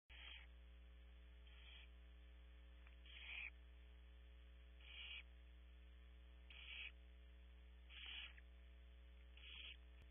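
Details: Hungry barn owl owlets in a nest cavity at Audubon Starr Ranch, California, one desperately pulling a sibling's wing: harsh, hissing screeches, each about a third of a second, repeated roughly every one to two seconds over a steady electrical hum.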